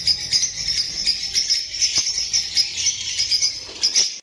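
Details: Lovebirds chatter constantly, a bright, jingling, high-pitched stream of rapid squeaky chirps pulsing several times a second.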